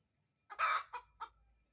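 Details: Hen about to lay an egg gives one loud, raspy, drawn-out squawk, followed by two shorter, softer clucked notes.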